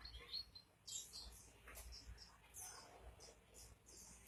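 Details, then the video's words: Pleci, the oriental white-eye, singing hard (gacor): high, squeaky chirps and thin twitters in short uneven bursts, a low rumble beneath. "burung pleci gacor"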